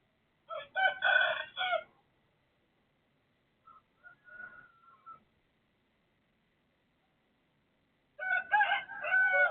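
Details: Neighbour's rooster crowing at 3:35 am on 18/12/2567: a loud, harmonic-rich crow opens, softer broken calls follow midway, and a second full crow closes the recording. The night background is otherwise quiet.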